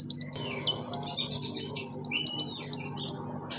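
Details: Pygmy cupwing (konin) giving a rapid, even trill of high sharp notes, about three a second, after a few opening chirps. A low hum runs underneath.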